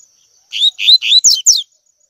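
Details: Double-collared seedeater, tui tui style song used as a training recording for young birds. A crisp phrase of three rising whistled notes ends in two steeply falling high notes, over a faint steady high-pitched tone.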